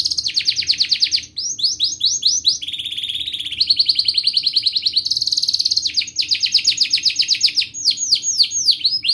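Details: Canary singing at length as a lure for young canaries learning to sing and for canaries that have stopped singing: varied fast trills, a lower buzzy rattle, bright rolling phrases and sharp descending notes following one another without pause.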